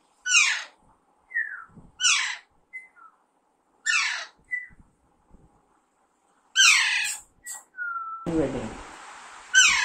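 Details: Young Alexandrine parakeet uttering harsh, descending squawks between brief whistled notes, about every two seconds, then a long, flat whistle. A burst of hissing noise follows before a final screech.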